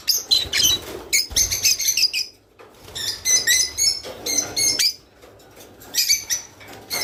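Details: Rice finch singing, a recording meant to encourage pairing and breeding in kept birds; bursts of high chattering notes and clicks alternate with quieter gaps, phrases roughly every second, some low thumping underneath.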